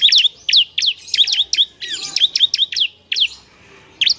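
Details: Ciblek semi, a bar-winged prinia in full song kept as training material for other birds; quick series of high, sharply sweeping chirps, then a pause and two final notes.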